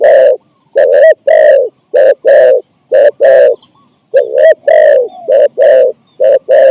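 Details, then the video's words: Spotted dove used as a lure for wild doves, cooing in 'ang' style of four to five notes: two series of deep, raspy coos separated by a short pause, each note sharp-edged. "ต่อนกเขาใหญ่ กัปตันจูเนียร์ เก็บเชลยคูอ่าง4-5คำ"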